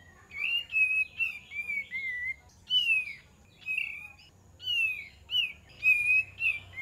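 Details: Luring song of the kapas tembak bird. Steady, fluty whistles bend down and level out, repeated in a chattering sequence of about a dozen phrases with short breaks.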